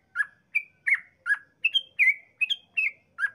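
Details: Sooty-headed bulbul delivering a rapid, rollicking string of liquid notes about three per second, alternating low and high, as a lure to make other bulbuls sing.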